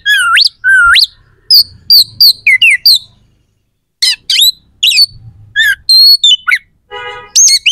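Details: Oriental magpie-robin singing rough, sharp phrases to provoke rival birds; upward-sweeping whistles, clusters of sharp chips, a held whistle and a brief nasal rattle.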